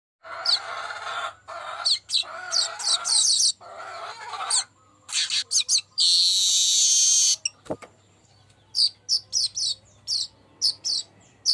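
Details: Golden-headed weaver singing actively, offered as a lure song: bursts of dense buzzy chatter, then scattered high chips and a long loud wheezing hiss with faint rising whistles. More sharp chips follow, with a steady low hum behind.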